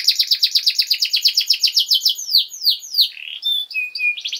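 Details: Canary singing for training young birds: fast rattling high notes that slow into downward sweeps, finishing with a few short clear whistles.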